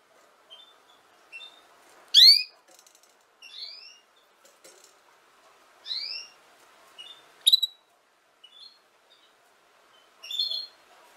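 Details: Canary song played for young canaries to learn singing: bright, harmonic chirps sweeping downward, spaced a second or two apart, with one loud ringing note near the start and softer whistled notes between.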